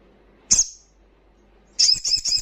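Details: Loud wild crimson sunbird: one sharp, very high chip, a second of silence, then a fast, shrill trill of repeated metallic notes starts up.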